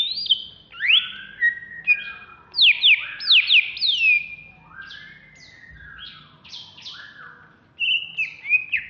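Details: Agitated song of a caged, contest-ready greater green leafbird of Alas Purwo stock, Bekasi, Indonesia: loud varied phrases of sharp down-slurred whistles, rapid chirps and sweeping notes, broken by short pauses, ending with a steady whistled trill.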